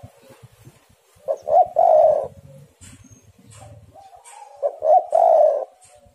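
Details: Spotted doves calling back and forth to set caged doves singing. Two full phrases of two clipped notes and a long coo, about three seconds apart, over soft low background noise.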